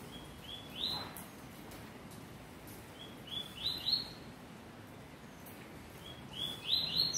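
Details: Double-collared seedeater singing a song labelled 'vírus mortal': three bursts of high, bright whistled notes that climb in quick steps, each burst a rapid run of upslurred notes, separated by short pauses, over faint low background noise.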